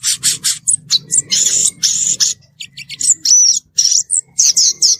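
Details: Violaceous euphonia singing outdoors: repeated high buzzy phrases and crisp chirps over a steady low rumbling background noise.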